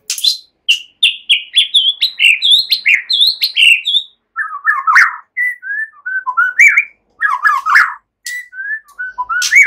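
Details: White-rumped shama singing a relaxed chattering song that imitates cililin and ciblek, meant to prompt songbirds to sing; a rapid run of high chirps, then lower slurred whistles and warbled phrases with brief gaps.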